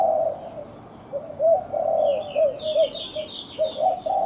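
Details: A captive spotted dove kept as a decoy bird for trapping, said to perform inconsistently, gives low, soft, hollow coos in short rolling phrases, with faint higher chirps from small birds behind.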